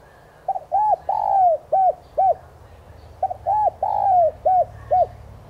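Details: Lure recording of a spotted dove meant to set captive doves cooing: the same low cooing phrase given twice, each a stuttered double note, a hoot, a long sliding coo and two short hoots.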